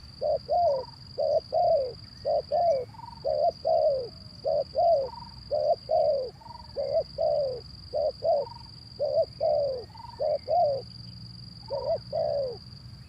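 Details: Zebra dove recording used as a lure to prompt birds that are reluctant to sing: a rapid series of short, bubbly cooing notes in bursts of two to four, rising slightly at each end, with a steady high electronic whine throughout.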